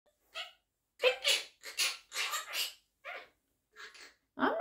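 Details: Pet quaker parrot (monk parakeet) talking indoors, apparently saying "come here": a run of about eight short, raspy, harmonic voiced bursts in under five seconds, the last rising sharply.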